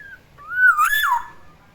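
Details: Captive black-naped oriole, a pet, in the morning, giving one loud mellow whistle that rises, wavers and drops, with a short faint note before it; quiet indoor setting.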